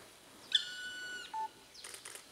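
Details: A black woodpecker in Hokkaido, Japan, gives one long, drawn-out, plaintive high note lasting nearly a second, followed by a brief low steady tone and some rustling.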